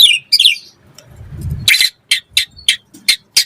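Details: White-rumped shama in full, energetic singing, used to prompt other shamas to answer and to tutor them: a few quick varied chirps open, then a low rumble, then harsh buzzy bursts repeated about every third of a second.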